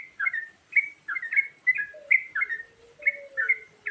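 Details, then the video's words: Varied lure song of a yellow-vented bulbul, short chortling bubbly phrases in a fast series, with a lower, steady whistled tone drawn out beneath the later phrases. "Suara Burung Trucukan Isian Variasi"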